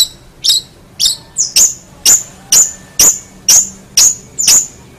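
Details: Long-tailed shrike singing in full voice for songbird training: clear, very high, sharply falling whistled notes, about ten of them spaced roughly half a second apart, over a quiet background.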